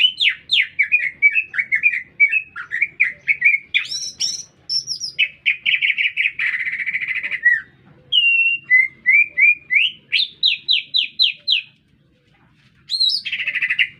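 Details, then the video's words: Extended green leafbird song heard in a city centre, with rapid chattering phrases, high whistled bursts, a rasping buzz, a quick run of rising notes, a brief pause, then a loud final burst. "Cicak Ijo Gacor Bikin Meledak Suasana"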